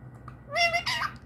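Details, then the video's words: A pet Indian ringneck (rose-ringed) parakeet, tagged as a baby, says "mi-tu" in a quick pair of high, slightly nasal, humanlike syllables in an otherwise quiet room. "mitu mitu bolne wala pyara tota❤ || indian ring neck parrot talking mitu mitu"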